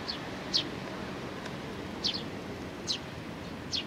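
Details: Sparrows with a struggling youngster, recorded 27 June 2019: sparse high, short chirps spaced irregularly about every second over a steady low rumble of background noise.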